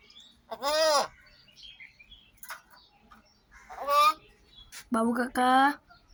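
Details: A talking common myna gives three speech-like utterances: a rising-falling, richly harmonic syllable, then a longer descending phrase, then two quick strident syllables at the end, with quiet background between.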